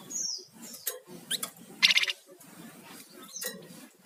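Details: Sunda warbler singing lively in the rattling and whistling styles, used as a lure and master for songbirds; a descending high whistle opens, then a brief loud rattle mid-clip, over steady low background murmur.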